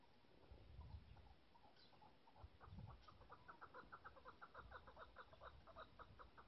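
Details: Female chukar partridge: faint scattered clucks, then a rapid, rhythmic run of chuck notes from about three seconds on, over steady background hiss and low rumbling.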